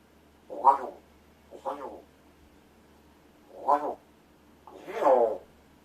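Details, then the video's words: A rescued Large-billed crow kept as a pet practises speech and calls in a quiet room. Four drawn-out, wavering, gravelly calls, the last one longer and bending downward, are separated by pauses of about a second. "お喋りの練習でおはよう、ご飯、謎の言葉 発声練習と鳴き声"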